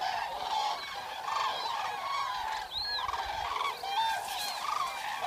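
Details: Wild Eurasian cranes, also called common cranes, recorded during a night spent in the wild: several birds give overlapping loud trumpeting, rolling calls, some rising and falling, in a near-continuous chorus.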